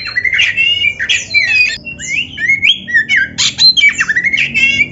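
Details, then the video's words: Oriental magpie-robin master training song: busy mix of harsh squawky notes, bent whistles and rising slurs delivered almost nonstop, with a steady low rumble underneath. "Masteran Kacer Gacor Full Isian"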